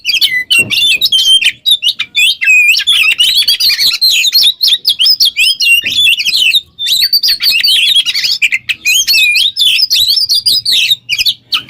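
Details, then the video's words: Oriental magpie-robin, a kept bird, singing a long energetic song used as a model for other songbirds; repeated bursts of bright whistles and quick chirps, broken by a few brief pauses. "GACOR burung KACER ngobra teler cocok buat pancingan MASTERAN"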